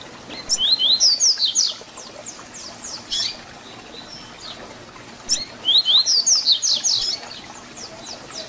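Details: Double-collared seedeater (papa-capim) singing a 'Tui Tui Zel Zel' fibra-style song used for teaching young birds; bright high phrases of rising and falling whistled notes, a rapid run of strokes, repeated twice about four seconds apart.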